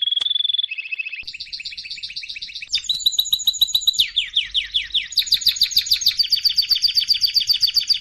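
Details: Training song of a canary: a short whistled note, then rapid buzzy trills that step higher, followed by a long series of quick, repeated down-slurred notes, several per second, ringing and very high.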